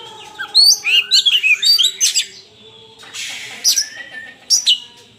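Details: Fighting Oriental magpie-robin bursts into fast, loud whistled phrases with tumbling slurs, pauses briefly, then adds sharp high notes and a falling whistle; clear, nearly noise-free.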